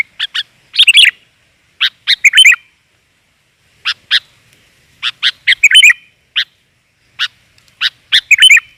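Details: Sooty-headed bulbul female voice used to draw in males: clusters of two to four sharp chirps separated by quiet gaps of about a second, with occasional fuller warbled notes. Background silent.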